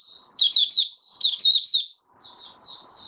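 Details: Buka sing session of a white-eye, known locally as mata puteh: two loud bursts of rapid twittering, slurred high notes, each lasting under a second, followed by quieter thin whistled notes over a faint low background hum.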